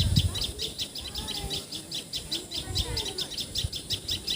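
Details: Common tailorbird calling in Assam, India: a loud, high, sharp note repeated rapidly, about two or three per second, with faint lower bird calls and a few low thumps behind.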